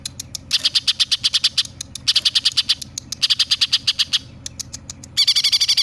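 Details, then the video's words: Greater green leafbird singing, imitating sparrow, tailorbird and other birds; loud bursts of rapid sharp chips, about eight per second, in runs of one to one and a half seconds separated by brief pauses, ending in a harsher buzzy burst. "Cucak Ijo Gacor nembak gereja sambung tengkek buto"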